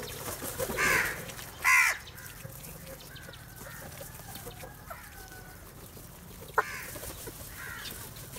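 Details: Crows flocking together and competing for food give two short, hoarse caws about a second apart, then quieter scattered calls over a steady low hum.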